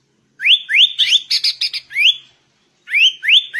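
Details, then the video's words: Sooty-headed bulbul singing in a lively, vigorous style called ngegaruda: bright rising whistled notes sweeping upward, repeated about three times a second, a short burst of harsher chatter in the middle, then a pause before more rising whistles. "Burung Kutilang Gacor Ngegaruda"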